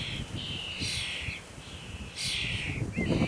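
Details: Common starling chicks being fed, uttering drawn-out harsh, rasping begging calls that rise and fade in long wheezy bursts, over low rumbling noise and some handling sounds.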